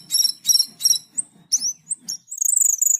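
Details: Asian glossy starling in full song: three harsh, buzzy bursts about every third of a second, then thin high whistled slurs and a rapid ticking trill near the end.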